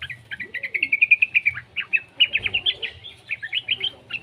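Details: Young yellow-vented bulbul, a sound used to coax other bulbuls into song. Fast, even series of bright high chirps with brief pauses and a faint lower slurred whistle early on.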